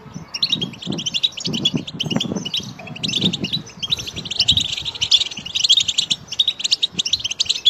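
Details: European goldfinch song played to stimulate another goldfinch to sing: high, rapid tinkling twitters and trills, continuous with brief pauses, over faint low thumping background noise.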